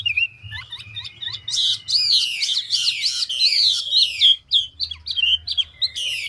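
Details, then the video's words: Mature wild-caught Chinese hwamei singing in the fast, voice-switching ngũ trường style: loud, rich whistled phrases sliding and looping, rapidly varied notes tumbling into one another with scarcely a pause, ending in bright upward whistles. "Họa mi ngũ trường đảo giọng tốc độ"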